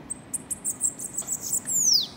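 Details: Bananaquit during a campeada session, a run of very high, thin, sharp notes and twittering chips ending in a long downslurred whistle, with faint background noise.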